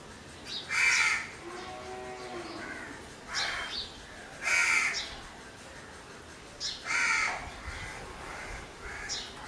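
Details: Series of harsh crow caws, loud and rasping, coming singly or in pairs every two to three seconds against a steady quiet background.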